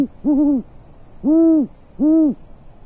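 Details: Great horned owl pair at a wicker-basket nest 40 feet up in Corona, California, USA, in January around midday, as the male brings prey and the female takes it and flies off; three deep, even hoots, each slightly arched, spaced under a second apart.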